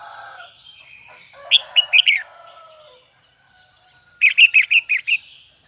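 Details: Red-whiskered bulbul of the Huế type in full voice, singing its high double twisting style: a soft warbled lead-in, then two quick bursts of four to six bright, chirpy, slurred notes near the top of the range.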